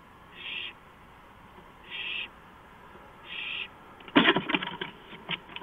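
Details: A night owl on a porch at 2:05 AM, 5 April 2015, gives three brief harsh high notes, evenly spaced about 1.4 seconds apart, followed by a loud burst of clattering, scuffling noise.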